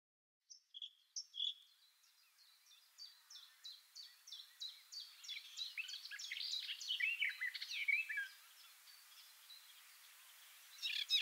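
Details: Garden warbler singing from inside a bush, microphones two meters below the bird: after a few opening notes, a long run of rapid, warbling phrases accelerates and grows louder for several seconds, then falls quiet before another burst.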